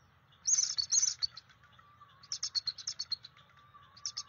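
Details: Bald eagle at its nest, recorded by field cam on May 15, 2023, giving warning calls to drive off an adult intruder perched below: bursts of rapid, high piping chatter, a longer series midway and a short burst at the end, over a low steady hum.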